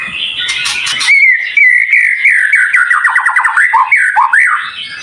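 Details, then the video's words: White-rumped shama song used as a tutor with dense, high-pitched fills: a long clear whistle slides gently downward, breaking into fast trilled notes and ending in rising and falling whistled loops. "Masteran Murai Batu cepat Buka Paruh | Suara Full Variasi Paling Dicari"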